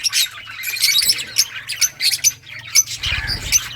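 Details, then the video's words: Lovebirds, mixed colour mutations, giving sharp squawking chirps in quick irregular bursts, some thin whistled squeaks mixed in, a low rumble near the end. "Lovebirds singing & chirping sounds - All mutation sounds"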